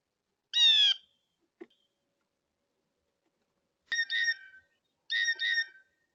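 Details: A blue jay at a bird feeder gives one harsh, falling scream, then two squeaky, creaking double notes a second apart, like squeaky gate calls. There is no other sound in the background.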